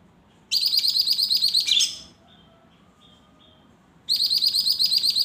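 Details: Newly bought caged lesser green leafbird, bought the previous afternoon, singing. Loud, rapid trilled bursts of high notes, each burst about one and a half seconds long, separated by a quiet gap with faint short whistles.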